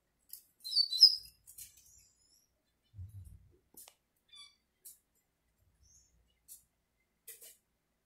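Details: Short, bright warbled phrase from a double-collared seedeater singing in front of a female, then sparse sharp ticks and thin chips spaced through the remaining seconds, with a brief low thump in between.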